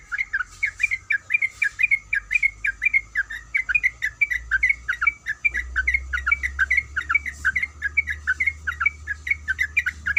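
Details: Sooty-headed bulbul female calling a male, giving a long unbroken run of quick, fluty chirps, evenly spaced and slightly warbled, over a low steady hum and a thin electronic whine.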